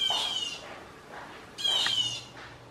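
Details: Two grating, falling screeches from a blue jay, part of loud group false alarm calls in a backyard meant to trick squirrels, with a soft low hum beneath.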